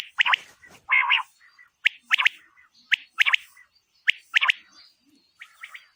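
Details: Calls of a female quail used for hunting quail: crisp paired and tripled ticking notes return roughly every second, mixed with a short raspy buzz near the start and softer chirrs between the groups.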